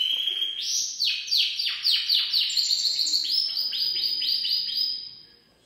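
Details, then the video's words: A Gloster canary delivers full song as a run of rapid, repeated descending chirps, several per second, shifting to a higher series before the phrase fades out. "Kanarek-Gloster (Kazik) Pełny śpiew"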